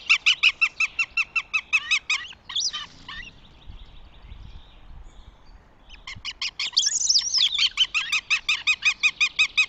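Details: Northern Goshawk at its nest in Tartu, Estonia, on 2 June 2025, giving a fast series of harsh, repeated notes, about three per second, breaking off briefly before resuming.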